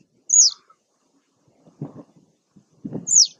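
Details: Citrine wagtail at Taglio di Po, Rovigo, Italy, on 2 May 2021 gives two high, sharp call notes that slur quickly downward, about three seconds apart, with faint low rustling in between.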